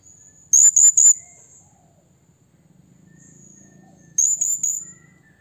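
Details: Blue-crowned hanging parrot calling out to a rival with two bursts of three rapid, shrill, very high notes, separated by a few seconds of quiet with soft background hum.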